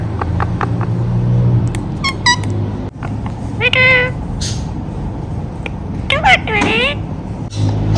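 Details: Indian ringneck parakeet talking: short bursts of wavering, speech-like chatter with a few rising whistled syllables, separated by quieter pauses over a steady low room hum.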